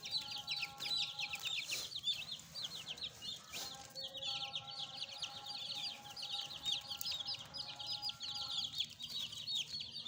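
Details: Fresh chicks, a new addition kept as pets, keep up a continuous chorus of thin high peeps, dense and overlapping, with a low humming tone in the background for much of the time.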